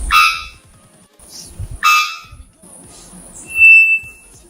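Three-wattled Bellbird giving two loud, harsh, ringing bonks about two seconds apart, then a clear, thin, high whistle. Soft music plays underneath.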